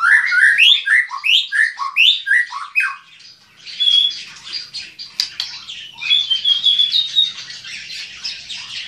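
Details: White-rumped shama singing vigorously: a fast string of loud descending whistled slurs, then a scratchy, busy jumble of high chattering notes.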